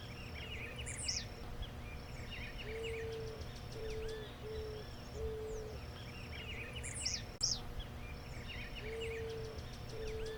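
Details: Brazilian eared dove song of low, mellow coo notes in a run of five short hoots, a pause, then two more, set against constant low noise and busy high-pitched chirps and whistles from other birds.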